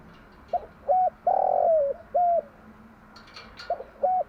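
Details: Spotted dove morning cooing, a hen's call used to stimulate decoy doves into cooing: short hollow coos around a long drawn-out note that slides down at its end, then two more short coos after a pause, with faint ticks.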